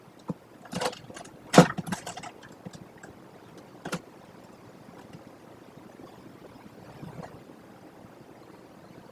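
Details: A cluster of sharp knocks and scraping clatters in the first two seconds gives way to faint scattered taps over low background noise.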